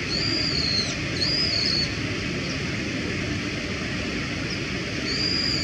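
A brown-eared bulbul gives thin, high, slightly slurred whistled phrases, a pair early then another near the end, over a steady roar of traffic or wind.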